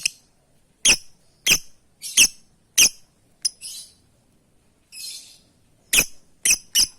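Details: A lovebird calls for its companions with a string of piercing, clipped shrieks roughly every half to one second, broken by a softer hissing buzz midway.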